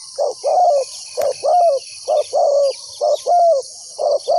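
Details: Decoy dove calling on the ground to lure wild doves into a trap: low hollow coos in short and longer notes, repeated roughly once a second, over a steady high insect hum.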